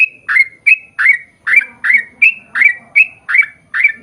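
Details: Sooty-headed bulbul singing persistently in a long rapid 'ropel' series, played as a lure so others of its kind answer: short bubbly notes dipping and rising in pitch, about ten in four seconds, with a faint low murmur beneath.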